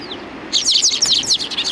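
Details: Sparrows coming to be fed at a Tenmangu shrine's front approach, 29 May 2020: a faint opening chirp, then a sudden dense chorus of rapid, overlapping bright chirps from several birds.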